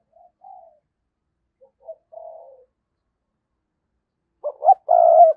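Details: Spotted dove decoy, 2022, giving thúc and gáy lure calls: scattered faint, low coos, then a loud hoarse phrase of two short notes and a long drawn coo that is cut off.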